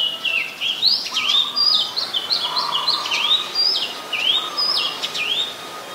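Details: Oriental magpie-robin singing in Ubon Ratchathani, Thailand, 7 January 2021, captured with a Nikon P1000; a steady stream of clear whistled phrases, each note rising sharply then levelling, with a lower humming band below.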